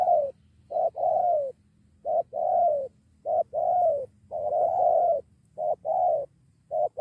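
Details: Spotted dove bringing a companion to confront a decoy bird; repeated phrases of a brief coo followed by a longer hoarse coo, steady and loud, with a faint low hum behind.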